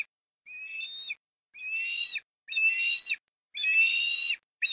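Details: Osprey at its nest in Port Lincoln, Australia, on an October 2021 afternoon during food deliveries, giving high whistled calls with a clear pitch and rich overtones. Each lasts under a second and repeats about once a second with short silent gaps.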